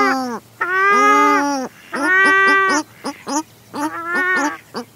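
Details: A pair of Paradise shelducks calling close by, with a Mallard in the background: long harmonic honking calls alternating with shorter, sharper clipped notes in a rapid exchange.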